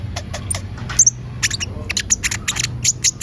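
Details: Olive-backed sunbird (kolibri ninja) in full, active song, played as a lure to prompt other birds to sing; sharp, very high chirps and thin twitters in quick irregular bursts, with a faint low hum underneath.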